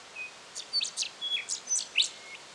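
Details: In Victoria, Australia, September 2011, a rufous songlark delivers a quick run of about eight sharp, downslurred high notes, mixed with short thin whistles, closing on a brighter accented note.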